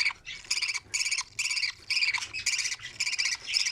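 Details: Budgerigar chicks in their nest during feeding give pulsed, grating begging calls in separate bursts roughly twice a second, each a buzzy rasp, with a faint low hum beneath.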